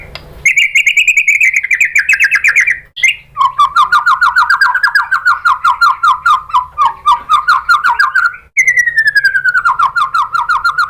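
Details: White-rumped shama lure song (pancingan) played to provoke other shamas into answering: a loud, fast trill of rich buzzy notes, first high then dropping lower, running almost unbroken with brief pauses and a new descending trill near the end.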